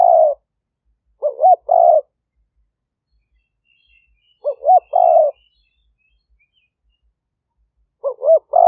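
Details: Decoy spotted dove of a fierce strain calling to attract wild doves, Roi Et, Thailand, 2021: a repeating phrase of two quick wavering coos and a longer buzzy note, heard three times with long pauses, faint distant twittering between.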